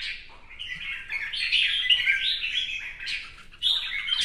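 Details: A red-whiskered bulbul in new plumage sings a competition song while displaying with fanned dancing: a quiet start, then a long, rich, rolling warble and a sharp, bright phrase near the end.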